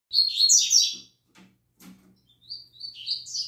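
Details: Captive Double-collared seedeaters singing in the morning: a rich, fast warbled phrase of high twittering notes for about a second, a pause with faint low knocks, then a thinner rising series of high whistled notes building again.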